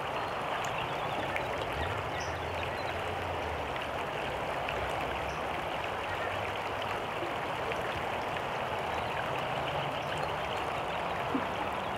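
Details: Steady rushing of running water or rain fills the recording, with a faint low hum beneath and no clear animal calls.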